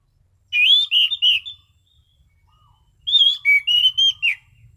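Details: Orange-sided thrush performing a relaxed, clear 'ngeplong' song: a phrase of three wavering whistled notes, a short pause, then a longer run of five varied whistles with faint low background noise.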